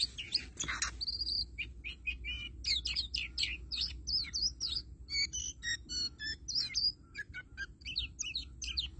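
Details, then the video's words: Oriental magpie-robin pouring out 'than mồi' song without pause: dense, rapid series of sharp whistles, chips and trills over a steady low hum, with one loud click near the start. "Chích Choè Than Mồi Hót Như Cái Máy"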